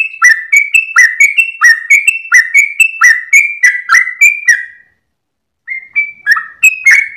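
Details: Sooty-headed bulbul singing early in the morning with tail-wagging, long rapid song style meant for training caged birds: rapid chain of clear whistled slurred notes for nearly five seconds, a short break, then further whistles.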